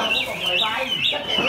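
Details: Captive Chinese hwamei, just through its moult, singing all day: a loud, unbroken stream of wavering, high whistled phrases that rise and fall, with faint murmuring lower down.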